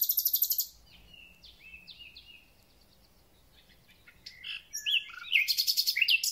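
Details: Thrush nightingale in full spring song: a loud buzzy rattle opens, followed by a pause with soft whistled notes, then rising chattering phrases and a fast harsh ending.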